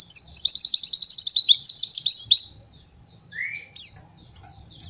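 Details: White-eye master song for training young birds, opening with a fast even series of high sweeping notes, then tailing into softer twitters and one lower rising slurred whistle.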